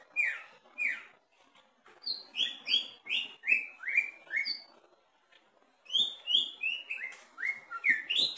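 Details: Caged greater green leafbird, tested at the bottom of the cage, singing runs of bright downward-slurred whistled notes, about two per second, in two bursts separated by a short silence.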